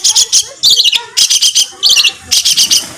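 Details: Harsh 'tembakan kasar' phrases from a songbird on a training master for competition birds: loud, scratchy bursts of rapid buzzy notes in short groups, separated by brief gaps.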